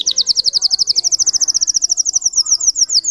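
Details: Russian canary, bred for singing, pours out a high, even trill of fast repeated notes that climbs gently in pitch over three seconds.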